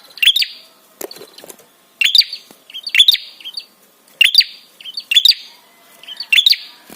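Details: Prinia calling to provoke other birds to answer and to arouse them: quick clusters of piercing high chirps, each ending in a short buzzy trill, repeated about every second, with a few softer clicks between bursts.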